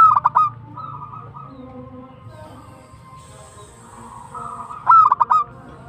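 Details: Local zebra dove singing in tumbak cucukan style: two brief bursts of rapid staccato coo notes about five seconds apart, with soft rolling coos and a faint high hiss in between.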